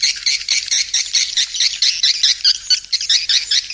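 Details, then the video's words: Swiftlet lure call meant to draw swiftlets in: continuous high-pitched chattering twitter, about one pulsing burst per second, with sharp squeaky notes mixed through. "Panggil burung walet suara panggil"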